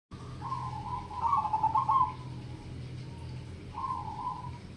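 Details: Local zebra dove singing in the crossing-rhythm triple ketek style: a rolling, trilled coo phrase swelling over about two seconds, then softer short coos after a pause, over a steady low electrical hum.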